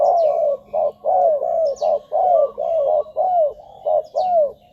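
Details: Spotted dove call for luring wild birds to ground, branch or decoy cage; almost continuous low cooing, short notes alternating with longer descending ones, while small birds chirp faintly in the background.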